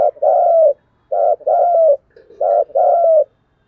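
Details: Spotted dove repeating its coo, intended to get caged birds cooing: three clear phrases, each a clipped low note followed by a longer, gently falling hoarse coo.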